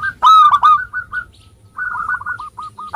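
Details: Local zebra dove singing to lure lazy doves into song: a loud ringing trill of rolling coos, then a long softer run of short clipped notes and a final loud note.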